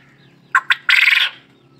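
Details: White quail calling: two short sharp notes followed by a longer harsh, buzzy, rattling burst, with a faint low hum underneath.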